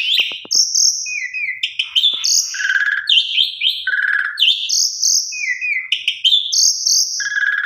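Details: Female Asian pied starling calling a male: loud, varied whistled phrases, some steady high notes and some falling slurs, mixed with harsh buzzy notes, preceded by a few dry clicks at the start.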